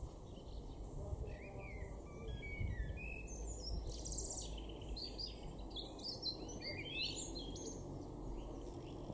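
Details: A European robin in a garden in Weener, East Frisia, northwest Germany, in April 2024 sings thin, high, liquid warbled phrases that tumble up and down in pitch, over a steady low rumble of wind or distant traffic.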